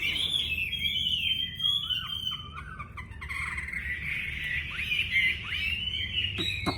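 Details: Wambi bird delivering a long, continuous warble of thin high notes with occasional lower looping phrases and slurred upswept whistles, ending with a sharp click, against steady low background noise.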